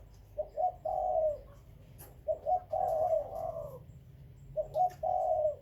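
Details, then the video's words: Spotted dove in a breeding collection of Khmer and Malay doves, producing three deep phrases: double short hoot then a long vibrating coo, spaced roughly two seconds apart in a quiet setting. "The Spotted Dove - Khmer + Malay Dove Breeding Birds"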